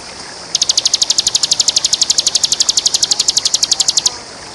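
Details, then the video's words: A bar-winged prinia, a champion, delivers a long ngebren trill meant for tutoring other birds: roughly forty crisp, high, metallic notes rattled off steadily for three and a half seconds over faint hiss. "Masteran ciblek JUARA full ngebren ( masterannya para ciblek juara) Suara ciblek gacor"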